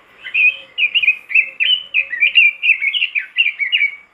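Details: A robin singing hard, used to stir other robins into song: a continuous, rapid chatter of rising and falling whistled notes lasting about four seconds, clean and close.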